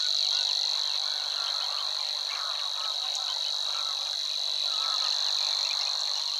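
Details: Marshland Savi's Warbler song recorded at Wetering West, Overijssel, in early May 2022: monotonous high reeling drone throughout, with lower warbling and chattering from other birds clearly audible beneath it.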